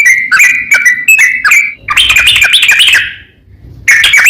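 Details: Provoking song of a sooty-headed bulbul calling out a rival; short whistled phrases in quick succession, then a denser bubbling burst, a pause, and a fresh phrase starting at the end.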